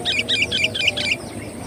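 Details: Energetic sooty-headed bulbul lure song: five fast, loud, bubbling two-part phrases rattle off in quick succession within about a second.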